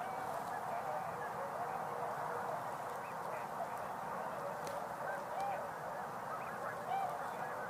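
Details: Tundra swans in November, a time of year when they are quite vocal, recorded live on a tour: soft, scattered honking and hooting calls from several birds beneath a steady broadband rush of noise.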